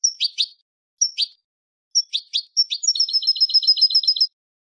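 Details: European goldfinch song used to train novice birds to sing: short sharp chirps in pairs, separated by brief pauses, then a rapid run of bright, evenly repeated high notes at the end.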